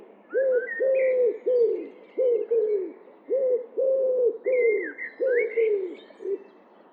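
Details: Deep, hollow, breathy coos from a wild common wood pigeon (Columba palumbus), in repeated rhythmic phrases of several notes, with thin chirps from smaller birds above.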